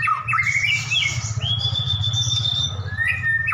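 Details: Caged champion white-rumped shamas in a staged duel, called enraged; a long clear whistled note held high, after twisting slurred phrases, low hum throughout.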